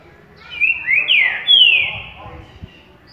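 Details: Currucutil boi song of a green-winged saltator heard at waking: three or four ringing whistled notes, the middle ones sliding up and the last a long, strong falling whistle, then quiet with a soft click.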